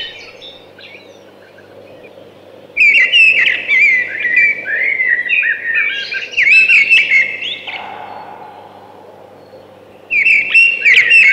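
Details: Thrush singing after nearly three seconds of quiet: a long, loud stream of whistled, twittering phrases lasting about five seconds, a pause, then a fresh bright phrase begins.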